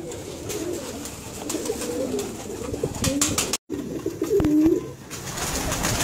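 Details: Red Indian Fantail pigeon, a fancy domestic pigeon breed, giving a short low cooing phrase near the end after a stretch of soft murmuring coos, with scattered sharp clicks and taps throughout.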